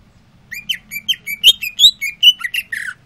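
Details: Greater green leafbird singing diligently after sunbathing: a quick, continuous run of bright, slurred whistled notes, rising and falling, varied and chattery for about two and a half seconds.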